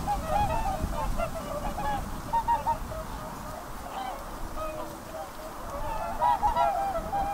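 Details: Several whooper swans (Cygnus cygnus) give loud, bugling honks, calling over one another in irregular bursts, with a low rumble of wind or water beneath.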